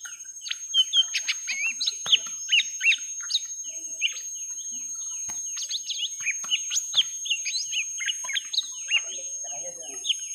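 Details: Young lesser green leafbirds in a long fight, first round: dense, rapid chattering of short whistled slurs and upswept notes, jumbled and overlapping without pause, with a steady high electronic tone in the background.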